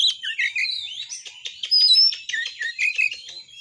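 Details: Oriental magpie-robin pouring out a varied 'tembakan' song to provoke rivals: warbled whistles mixed with fast clicking notes, a thin high whistle in the middle, steady and continuous.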